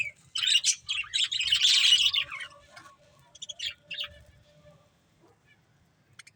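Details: Budgerigar breeding pair calling in a loud two-second burst of busy, grating warbles and chirps, then scattered quieter chirps fading toward near silence, with a faint steady tone underneath.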